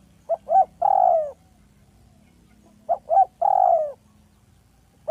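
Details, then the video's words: Clear, soft lure call of a village spotted dove. A phrase of two short hoots and a long falling coo repeats about every two and a half seconds, with quiet gaps between. "Dekukur kampung yang gacor || SUARA HALUS DAN JERNIH PEMIKAT ANDALAN"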